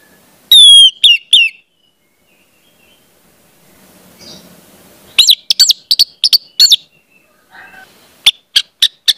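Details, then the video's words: Orange-headed thrush song meant to coax spotted young birds into singing: a few loud, sweeping whistles, a long quiet gap, then a burst of five rapid sharp notes, another pause and four more crisp notes. "pancingan anis merah, trotol dengarkan ini pasti jadi calon gacor bos ku"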